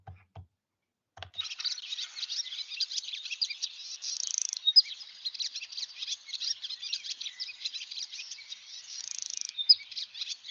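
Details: Barn swallow (Hirundo rustica) call: twittering in a dense, continuous run of high chirps and buzzy notes, after a couple of brief low thumps at the start.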